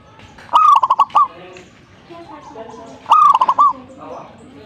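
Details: Zebra dove in full song, giving two identical phrases about two and a half seconds apart. Each is a drawn-out rising coo followed by a rapid string of short bubbling notes, with soft chatter between phrases.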